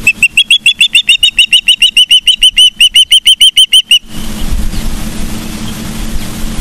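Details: Osprey at a nest in Charlo, Montana, on a live nest camera, 15 September 2023 around midday: a rapid run of sharp, high whistled chirps, about three per second, for four seconds, then steady wind and rumbling noise.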